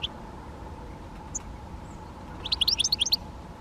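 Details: Great spotted woodpecker (Dendrocopos major) giving a quick burst of sharp, high chirping notes, about nine packed into under a second near the end, after a few scattered single chips, over a steady low hum.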